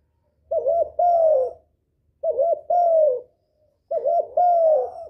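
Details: Three phrases from a spotted dove calling to excite a decoy and draw males: each a quick warbled note then a long downslurred coo, spaced about every one and a half seconds, faint low rumble beneath.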